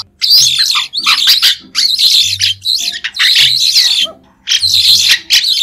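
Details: White-shouldered starling song: dense bursts of harsh, scratchy chatter mixed with squeaky notes, delivered in phrases about a second long with brief pauses between them.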